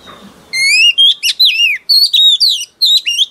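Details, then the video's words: Female oriental magpie-robin, a newly caught bird, singing to stir up males: after a quiet start, a run of loud, clear whistled notes with sharp slurs and downward sweeps, delivered in short bursts about every quarter second. "Choè than mái bổi lên giọng hót kích trống cực chất"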